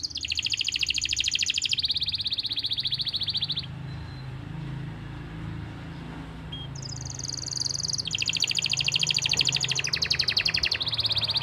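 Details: Canary master song recorded in Pati, Central Java, to get silent canaries and youngsters singing; continuous high, rapid rolling trills shift between pitch levels, pausing briefly once midway, with low rumbling noise underneath.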